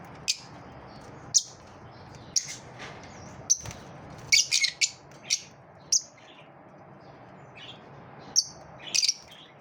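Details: Sharp, piercing lovebird chirps come roughly every second, with a short burst of harsher squawks midway, as the birds compete; a faint steady hum lies beneath.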